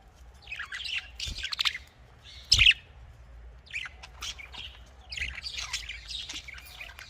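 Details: Budgerigar in a breeding setting, fairly quiet, giving scattered chirps and short scratchy warbles throughout, with one louder sharp call near the middle and a soft low hum.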